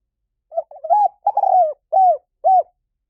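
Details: Decoy cooing of a spotted dove, used to lure wild doves. Soft warbled notes lead into a drawn-out rolling coo, followed by two short, evenly spaced arched coos, with no other sounds.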